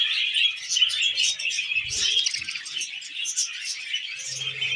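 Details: Pet budgerigars chirp steadily while eating wheat germ: a flock-like jumble of bright, high twitters and short squeaky notes, with faint low knocks in the background.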